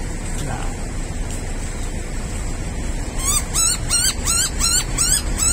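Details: A yellow-throated miner calls loudly from a roadside tree near a station in the early morning: a quick series of ringing harsh notes, about three per second, each sliding up then down, over a low traffic rumble.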